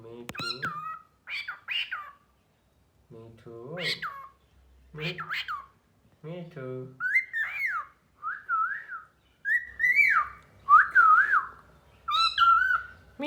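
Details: Pet cockatiel talking, mixing throaty speech-like syllables with bright up-and-down whistles in short bursts, roughly one phrase every second or two, indoors and quiet.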